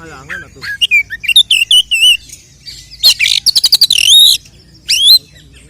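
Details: Oriental magpie-robin (kacer) fighting song used as a provoking lure to excite other males: loud, varied whistled phrases with bouncing, wavering notes, quick chip series and a rising sweep near the end, separated by short pauses.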